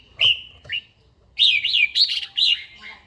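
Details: Caged red-whiskered bulbul trained to sing each morning: two short bright whistles, a pause, then a rapid, loud run of looping whistled notes rising and falling, ending on a lower note.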